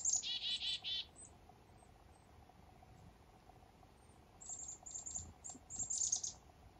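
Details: Foggy morning up north with black-capped chickadees: an opening burst of buzzy notes, a long quiet stretch, then clusters of short, very high, thin notes.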